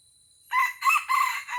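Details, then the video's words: Wild red junglefowl from Aceh, lured down with a decoy rooster and fighting it, gives a loud crow of three harsh, hoarse bursts in quick succession over a steady high electronic whine. "Ayam Hutan Aceh Pikat Turun Perdana Laga dahsyat dengan Ori"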